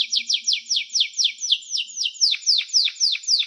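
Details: Canary singing: a steady run of quick, high, downward-slurred notes, roughly four per second, with later notes sweeping lower and sounding fuller and more emphatic.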